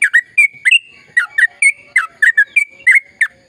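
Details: Sooty-headed bulbul, long continuous gacor ropel panjang singing meant to trigger song in silent birds: quick clusters of clear, falling chirped notes, some doubled, repeated steadily over a faint constant high tone.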